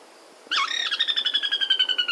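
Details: Sora giving its loud descending whinny, used by males and females to defend territory and keep in touch: a rapid run of high, bright notes starting abruptly and sliding downward over about a second and a half.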